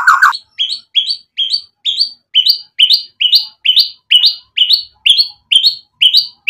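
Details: White-rumped shama (murai batu) in lively 'gacor' song, used as a lure to provoke other birds: a series of short, bright rising notes repeated about every half second, opened by a lower burst.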